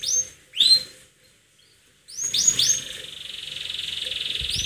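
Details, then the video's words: Attacking canary song: two loud rising whistled chirps, a silent gap, then a burst of rising notes leading into a long even rolling trill pulsing rapidly to the end. "Kenari Gacor nyerang"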